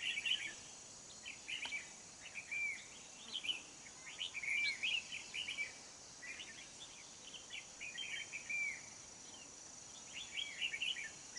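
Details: Red-whiskered bulbul at a trapping session with a decoy bird and a wild-caught old bird, 20 November 2019; lively bursts of bright, twittering notes with a few clear rising whistles, steady background hiss.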